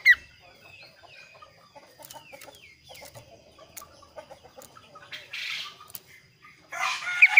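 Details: Kaso-kaso bird singing a varied, clear song: a run of short, quick chirps and twittered notes at differing pitches, ending in bursts of rough rustling noise.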